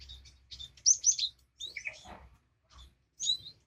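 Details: Cinereous tit, played to restart singing in a silent caged bird: a short run of bright high whistles falling in pitch, then a lower buzzy note, a pause and a final pair of whistles.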